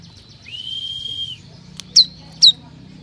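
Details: Lure recording of ciblek kristal meant to call wild birds: a long steady high whistle, then two sharp downslurred chips, over faint low background hum.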